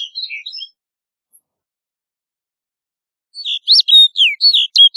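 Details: Snow bunting song: a few soft high notes, a long pause, then a loud phrase of about eight clear, sweeping whistled notes.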